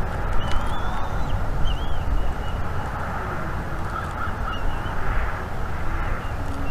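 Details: Chirps of a young female bald eaglet begging for food at a nest in North East Florida on a March 2021 morning while her father delivers fish. High, slurred squeals come mostly early, buried under heavy low wind noise.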